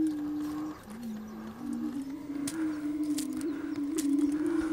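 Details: Spring lek of prairie chickens doing the strutting mating dance to attract females: continuous low moaning hoots that waver and overlap, swelling in loudness toward the end, with a few faint clicks above.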